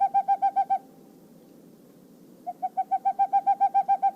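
Boreal Owl giving rapid, evenly spaced hollow hoots, about three or four a second. A short run, a pause, then a longer run that builds in strength.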